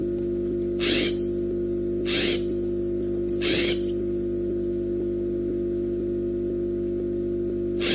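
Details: A peregrine falcon on the FalconCam in Orange, New South Wales, gives four harsh, rasping screeches at uneven intervals of one to four seconds, over a steady electrical hum.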